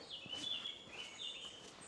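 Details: A loud Eurasian blackcap singing in Pelham Woods, Ventnor, Isle of Wight, on a warming day: clear, high whistled phrases that slide and waver, over a faint low background hum.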